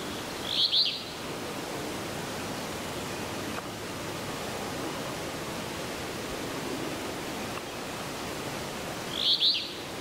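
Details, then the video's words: An Alder flycatcher gives two short, buzzy, burry phrases about eight seconds apart over a steady hiss of rushing water or wind. "Alder Flycatcher"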